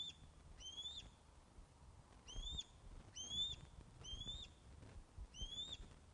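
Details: Webcam audio from the Loch of the Lowes Osprey nest in Scotland, 21 August 2012 at 16:35, fish delivery: a string of six long, clear whistles, each rising and then flattening, repeated roughly once a second over faint low noise.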